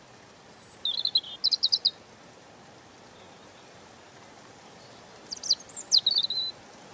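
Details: Soft singing of a European robin: a high thin note and a quick trilled phrase, a long gap, then sharp sweeping notes and a short warble, all over steady hiss.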